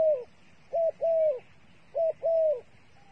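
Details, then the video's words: Bait dove for trapping calling with short clipped coos followed by longer drawn-out coos, mid-pitched and level, in two paired bursts about a second apart, against a quiet low background hum. "Videoដ៏អស្ចារ្យរបស់លលកធ្នាក់ល្អមើលជក់ចិត្ត | The five videos of the dove bait are really good to wa"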